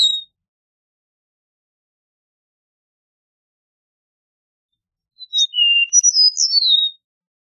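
Eastern meadowlark singing one phrase of clear, sweet, slurred whistles that slide downward over under two seconds, after a long quiet pause. Nothing else is heard.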